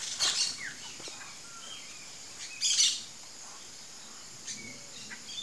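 Two loud, harsh, rasping rattle bursts from a Ringed Kingfisher, about two and a half seconds apart. Faint thin whistles from other birds sound in between.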